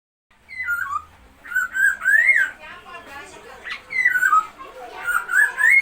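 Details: Masked laughingthrush, kept as a cage bird, singing loud whistled phrases that slur down and up in rich looping notes, with short pauses between bursts.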